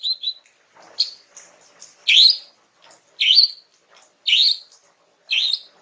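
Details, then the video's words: Female greater green leafbird in relaxed song meant to draw a young male into replying, giving loud sharp downslurred whistles about once a second with faint softer notes between. "Cucak Ijo Jantan Muda bakalan NYAUT dengan kicau SANTAI Cucak Ijo Betina ini"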